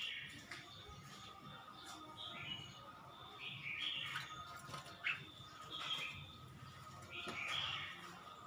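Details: Red-whiskered bulbul, Suan Phueng, Ratchaburi, repeating brief chirpy warbled phrases every second or two. Occasional clicks sound over a noisy low rumble throughout.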